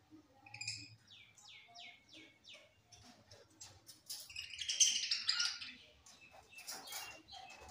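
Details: Budgerigars recorded on 25 September 2023 in Larkana, Sindh: a quick series of short rising chirps, then dense overlapping chatter and a burst of broadband rustle, with faint low rumble.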